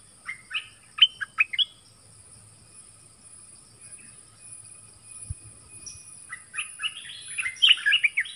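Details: Nok dok taeng song dueling with a wild bird: bursts of sharp, high chirps and short whistled notes, a pause with faint tones, then a denser rush of chirping at the end. A steady high hum runs throughout.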